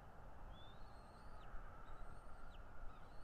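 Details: Bald eagle at its nest in North East Florida, filmed by a nest camera on 13 February 2022 around 10:10; three thin, high whistled notes, each gliding upward and then dropping sharply at the end, over steady low rumbling background noise.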